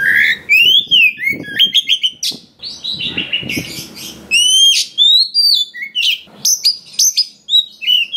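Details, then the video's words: Oriental magpie-robin taken from the forest, singing a varied fill-in-rich song meant to rouse other magpie-robins. Fluty arched whistles, quick chattering runs and rough scratchy notes mix, with sharp high whistles toward the close. "SUARA BURUNG KACER ISIAN BANYAK !! PANCINGAN UNTUK BURUNG KACER BAHAN HUTAN || VOICE OF KACER"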